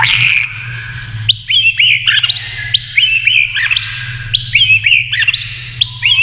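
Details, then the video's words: White-rumped shama, tail flicking, singing in competition with a TV. Crisp whistled phrases, each opened by a sharp click, repeat about every second over a faint low hum. "kích chòe lửa hót đấu với tivi cực căng lửa"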